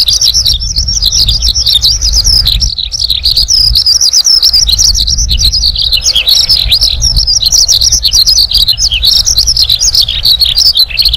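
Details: A Horsfield's bush lark in the wild pours out a nonstop, high, rapid warbling song full of chirps and trills, with a low wind-like rumble underneath.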